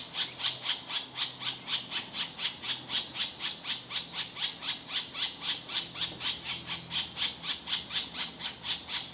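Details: Hungry woodpecker chicks being fed by their mother: harsh, raspy begging squawks repeated steadily about four times per second without pause, loud and high-pitched.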